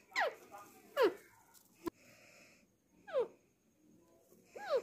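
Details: Talking Alexandrine parakeet in a small room: a few sharp, downward-sweeping mimicked syllables spaced about a second apart, with a click and faint background hiss.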